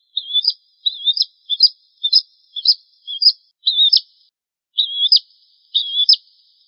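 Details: Bar-winged prinia tutor song for training cage birds: clean, high chirping phrases repeated in quick bursts, each a short trill ending in a sharp upward note, with brief pauses between.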